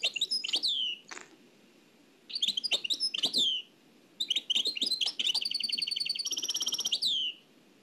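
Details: Nightingale singing, Oued El Alaiq style, transferred from an old cassette: descending whistled slurs separated by pauses, then a sustained buzzy trill of rapid notes before falling silent.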